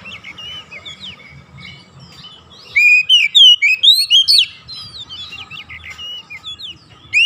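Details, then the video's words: Kacer, the Oriental magpie-robin, in gacor chattering song meant to stir lazy birds into singing: soft scattered twitters, then a bright run of eight loud swooping whistles, more twittering, and one last loud note at the end. "TERAPI KACER MALAS BUNYI LANGSUNG NGOCEH GACOR TANPA HENTI"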